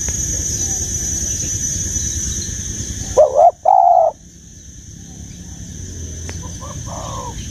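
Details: Single loud two-part dove coo, a short note then a longer hollow one, from a bird with the mature giọng già rừng sát bổi voice, set against broad rushing background noise, with a fainter echoing coo afterward.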